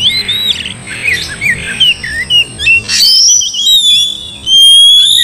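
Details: Oriental magpie-robin as a lure to rouse a quiet bird into song and fighting: harsh squawky notes and short slurred whistles give way to long, clear sustained whistles near the end.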